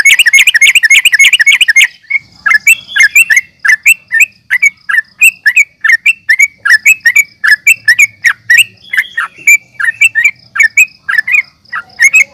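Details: Sooty-headed bulbul calls used to provoke fighting: a fast burst of repeated notes, then a steady run of short, sharp, down-slurred chirps repeated several times a second.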